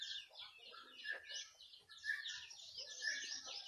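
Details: Pet turkeys at play produce high, squeaky chirps and rasping notes. A brighter call stands out about once a second over steady, overlapping flock chatter.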